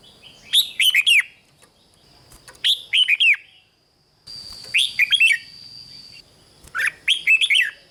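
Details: Red-whiskered bulbul song, played to excite caged birds in Thailand: short bursts of bright, rolling whistled notes with rising and falling slurs, phrases separated by pauses of one to two seconds, a steady high tone running beneath.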